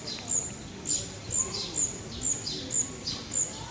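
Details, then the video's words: Birds calling in Parque de la Florida, Vitoria-Gasteiz: bright, high-pitched chirps repeated about twice per second, each with a brief scratchy edge, over soft ambient noise. "pájaros cantando"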